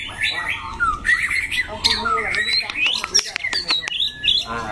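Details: White-rumped shama, a competition bird known for a loud, harsh, shifting voice, sings whistled phrases that rise in steps, broken by sharp clicks and rapid notes, ending in a quick trill.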